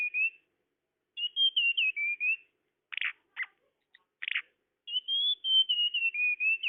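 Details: Bird-luring tledekan call: long series of pure whistled notes wavering and stepping down in pitch, interrupted by three harsh buzzy notes before the whistles resume.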